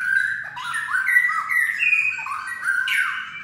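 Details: White-rumped shama in kretekan, aimed at firing up other shamas to sing: liquid whistled notes swooping down and up in quick succession, ending with a brighter rising phrase.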